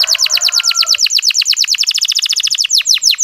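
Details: Canary song used to coax a hesitant male canary into singing: a rapid, steady train of high looping whistled notes, roughly eight per second, with a faint thin tone underneath early on.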